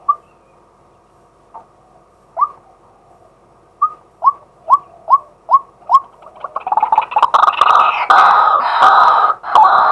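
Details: Male White-breasted waterhen heard by day on a live camera recording: a few scattered rising notes give way to a steady series about every half second, which swells into a loud, rough chattering chorus.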